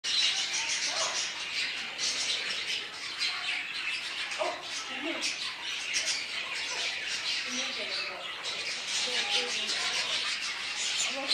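Blue-winged kookaburra giving harsh, raucous squawks and cackles that run almost continuously, rough and grating, with scattered lower notes underneath.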